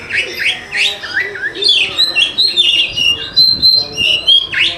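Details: Oriental magpie-robin singing as a lure for reluctant singers: dense chattering and slurred whistles at first, then a long string of clear piping notes at a steady high pitch, close together.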